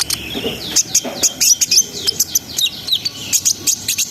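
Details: Brown-throated sunbird in continuous 'ngerol sambung' singing, played to raise breeding arousal: dense, hurried twitter of high squeaky notes and slurred whistles, about three or four a second, without pause.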